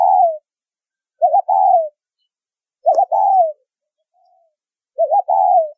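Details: Spotted dove giving the 'thúc rút bổi' style call with a deep whistled tone: each phrase is a short stuttering double note then a longer soft coo falling in pitch, repeated about every two seconds, four phrases, nothing else audible.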